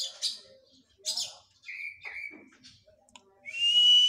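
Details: Oriental magpie-robin after its moult gives scattered sharp chips and mid-pitched whistled slurs, then finishes with a long, clear, rising whistle.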